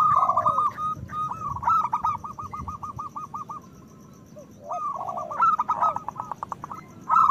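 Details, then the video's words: Zebra Dove of a local strain with a loud song used as a breeding lure: long strings of quick even coos, a quiet gap, then falling notes and rapid bubbling phrases. "Perkutut lokal gacor Suara Besar Pancingan Bunyi Menaikkan Birahi Paling Ampuh"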